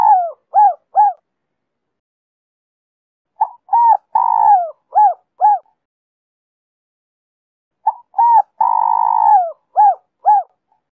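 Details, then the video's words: Three cooing phrases from a spotted dove singing the Giọng Kim 2 hậu style, meant to bring wild doves in quickly. Each phrase has short hollow coos, one long sliding coo, and two closing arched notes, with quiet gaps between. "Cu gáy Giọng Kim 2 hậu víp kích bổi nhanh nổi/Tiếng cu gáy kích bổi nhanh gáy/cu rừng nghe về ngay"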